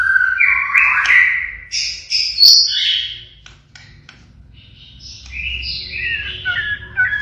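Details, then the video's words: A pied-variety white-rumped shama in full song pours out rich whistled phrases, with rising and falling sweeps and a brief siren-like burst, delivered in quick, varied bursts. "Keluarkan tembakan Sirine | Murai batu blorok Gacor"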